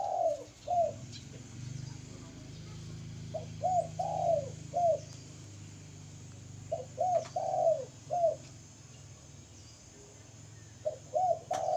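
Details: Spotted dove repeating its cooing song: three phrases of four soft, hollow coos separated by pauses of a few seconds, each with one longer, louder note; a low steady hum beneath.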